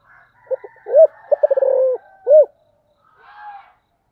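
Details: [['Spotted dove'], "Spotted dove giving a 'giọng thổ' style calling coo: a few short soft notes, then a loud rising-falling coo, a rapid stuttering run, and a final arched coo. A faint, brief, higher murmur follows."]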